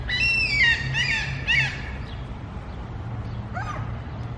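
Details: Mew gulls crying at a feeding spot, three loud nasal harmonic calls in quick succession, then a pause and a fainter call further off, with low steady background hum.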